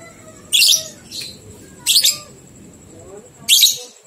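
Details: Lovebird ngekek song meant to stimulate two-month-old young lovebirds to sing: loud shrill rasping bursts and a softer chirp in between, roughly one every second, over a steady faint high whine.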